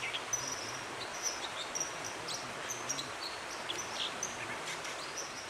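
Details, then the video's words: In Dovedale, Britain, in October 2017, dippers sing sparse, sharp, high whistled notes, a few seconds apart. A constant hiss of rushing stream water runs underneath. "Dippers Singing"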